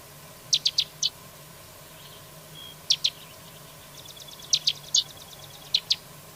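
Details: A carrizalero gives bright, clipped high notes in short bursts of two to four, with a quick rattling trill woven between them; a low steady hum runs underneath.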